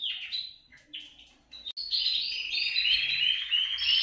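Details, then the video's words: Canary song for inciting canaries to sing: a few short chirps with pauses, then a continuous burst of fast trills and warbling with repeated sweeping notes. "TU CANARIO CANTARÁ CON ÉSTE VÍDEO | CANTO CANARIOS"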